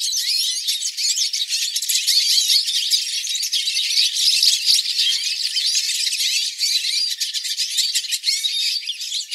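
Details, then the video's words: A flock of hooded siskins (Spinus magellanicus) recorded live, singing together in a dense, continuous chorus of high, rapid twittering and buzzy trills, with no other sounds. "Pintassilgos cantando em bando"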